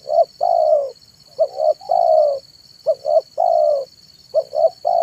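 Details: Spotted dove (tekukur) in the afternoon, for luring wild doves: regular phrases of two clipped hoots followed by a sustained mellow coo, about four phrases, over a steady electronic-like whine.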